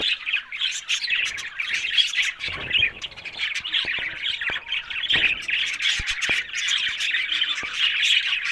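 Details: A budgerigar flock in steady talkative chatter: rapid scratchy warbling mixed with squeaks and short clicks, continuous throughout.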